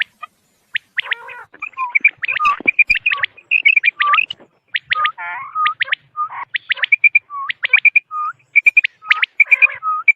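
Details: Quail in a recording used for hunting: a busy stream of short high chirps, some paired with lower slurred notes and a few rougher trills, delivered in fast uneven sequences against a clean, quiet background.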